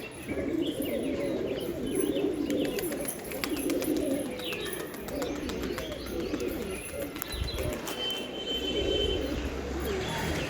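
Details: Pigeons cooing in low, soft, rolling murmurs that overlap almost continuously for ten seconds, with brief higher chirps and scattered clicks and knocks in the background.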